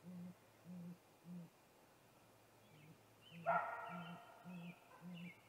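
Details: Male Great Grey Owl calling at a snag-tree nest at 8:45 pm on 21 April 2019, before a nest visit: very deep, soft hoots about every half second, interrupted midway by a brief harsh, rasping squeal.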